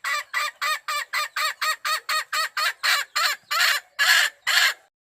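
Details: Calling wild chicken hen, summoning the rooster, gives a run of about fifteen harsh clucking notes, rapid at first and then spacing out and growing louder toward the end before stopping.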